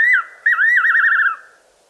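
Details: At night in the southern Karoo, a fiery-necked nightjar (Caprimulgus pectoralis) calls from a tree: a short falling whistle, then a longer quavering whistle that wavers rapidly before dropping away, over a soft low hum.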